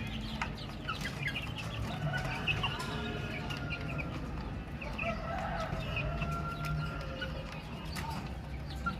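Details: Baby chicks chirping in a crowd, a blend of short peeps and longer level whistled notes running through the clip, set against a heavy low rumble.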